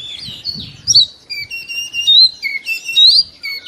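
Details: Morning song of a kept white-rumped shama used to encourage other birds to sing; clear high whistles alternate with long sliding notes and short chirpy phrases, loud and continuous, over soft low rustling.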